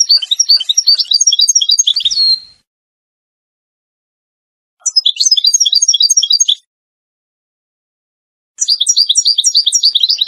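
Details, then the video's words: Three long phrases of rapid, ringing twittering from a Moroccan Wedani European goldfinch, used for teaching chicks, separated by silent pauses of about two seconds. "مقطع لتغريد الحسون الويداني المغربي لتلقين الفراخ"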